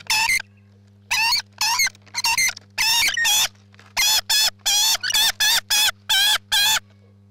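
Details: Rainbow lorikeets at a nest give loud, harsh, wavering screeches in quick bursts, about a dozen short calls across seven seconds, with a steady low hum underneath.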